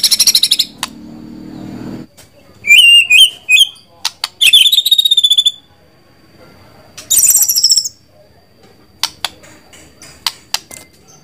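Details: White-rumped shama giving separate bursts of song: loud warbled and trilled phrases, some very high and sharp, divided by silences and scattered clicks and single notes.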